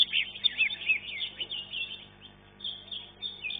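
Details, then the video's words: Green leafbird from a class 1 singing contest, placed third, giving a quick string of bright chirps and short buzzy whistles, louder at first, then softer phrases trailing off. "KELAS KE 1 CUCAK IJO"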